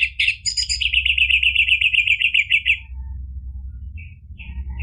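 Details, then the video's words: An energetic orange-headed thrush song, played to stir a silent bird into singing: a rapid run of sharp, high, evenly repeated chirping notes lasting nearly three seconds, then brief faint high notes against a low background hum. "ANIS MERAH GACOR memancing EMOSI jadi BUNYI NYAUT ikut NGEPLONG ampuh buat terapi macet bunyi"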